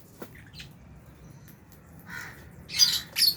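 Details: Lovebirds, albino and Fisher's, at feeding time in an aviary shared with budgies. Brief faint chirps lead into two loud, harsh, shrill squawks close together near the end.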